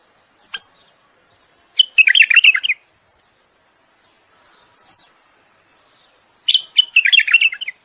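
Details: A common bulbul sings mating song meant to stimulate a female, two short bursts of bright, bubbly, chattering notes about five seconds apart, with quiet clicks between them.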